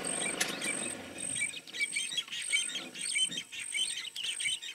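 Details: Two wild superb starlings in Meru National Park, Kenya, on safari; a busy stream of high chirps and squeaky twitters, with a repeated thin high whistle in the background and a faint rumble at the start.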